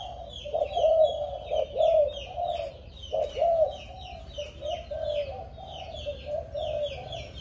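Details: A young, 7-month-old Malaysian-strain spotted dove gives soft, low, mellow coos in short repeated phrases, with faint twittering of small birds above.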